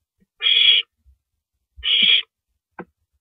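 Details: At night on April 9, 2012, around 1:27 AM, an owl gulps down a rabbit; two rasping, breathy screech bursts about 1.4 seconds apart, followed by a faint soft click.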